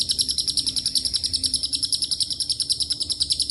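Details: Lovebird ngekek, long and mixed with cililin and canary phrasing: steady, very high, buzzy pulsed chatter repeating quickly and evenly across the whole stretch, low hum faintly present.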